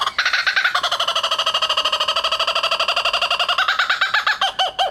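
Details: Captive laughing kookaburra crying at Hamura Zoo. Loud, fast, chuckling notes pour out without a break, evenly repeated and rising into harsher cackling cries near the end.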